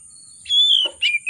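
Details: Oriental magpie-robin in a vigorous, excited song with a rich repertoire, used to lure hesitant birds into singing; one long bright whistle falling in pitch, then a rough burst and a brief warbled phrase, with a constant thin high hiss.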